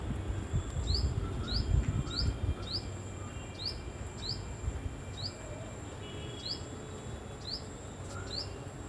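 A tailorbird repeats sharp, high chirps about twice a second, each note quickly rising then dropping, over a low rumble of background noise.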